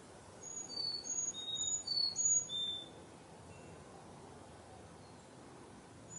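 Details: One burst of high, pure chickadee whistles in a backyard during fall 2021, notes dropping stepwise in pitch over about two seconds, then only quiet background hiss.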